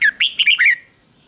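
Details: Decoy red-whiskered bulbul singing to call in wild birds: a single short, rich warbled phrase of four or five fast slurred notes, loud and close.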